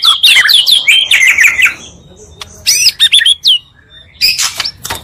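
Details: Oriental magpie-robin provocation song built from two birds: a quick tumbling burst of high whistled and trilled notes, a pause, then sharp scratchy phrases and a final harsh rasp.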